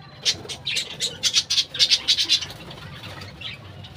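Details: A budgerigar colony in a bird house, where a run of quick, shrill chirps repeats about four times a second for two seconds, then fades to soft chatter.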